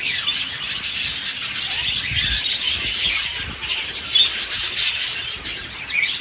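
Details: A pair of king-size budgerigars chatter continuously in high, scratchy warbles and squawks.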